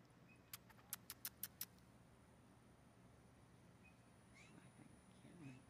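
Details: Mating call of blue jays, with rival males vying for a single female. Six crisp clicks come in quick succession over about a second, then faint short whistled notes and soft chatter. A low background hum continues throughout.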